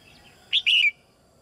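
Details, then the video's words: A single rich phrase from a caged female red-whiskered bulbul: short sharp note, then a drawn-out warbled whistle, sung to encourage young birds to sing more. "นกหัวจุก-birds - Ep.57 - นกตัวเมียร้องเพลงในกรงเพื่อกระตุ้นให้นกที่โตใหม่ร้องเพลงมากขึ้น"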